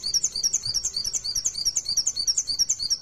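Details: Mountain white-eye (pleci) in the fast 'ngalas nembak' fighter singing style, played as a lure to set other white-eyes singing: rapid high thin chirps, about three per second, each a quick downward-sweeping squeaky note, sung continuously and evenly.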